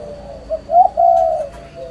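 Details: Spotted dove giving a soft, low coo: a short note, then a louder rising phrase and a long level hooting note, in a quiet setting.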